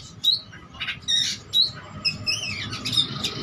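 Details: Oriental magpie-robin in full song, seeking a rival, with varied imitated phrases: sparse clear whistled notes and rasping bursts, then a run of rising and falling whistles, against a constant low hum.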